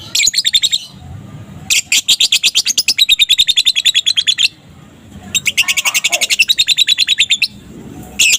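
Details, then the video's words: Energetic ngekek chatter from a young fighter lovebird in the afternoon, played to lure other lovebirds into calling. Three bursts of rapid, piercing, machine-gun-like trills are separated by short quiet gaps. "Suara lovebird balibu fighter gacor ngekek disore hari full emosi"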